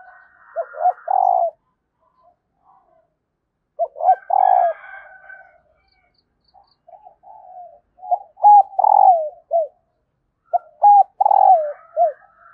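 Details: A female spotted dove gives soft, low, hooting coos in short phrased bursts, calling to stir up a male.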